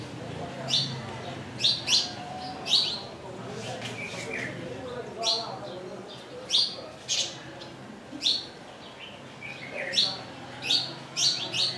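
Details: Wire-tailed swallows on the roof of a lodge building in Pangani, Tanzania: short, sharp, high chirps come singly and in quick pairs every second or so, with faint low background murmur.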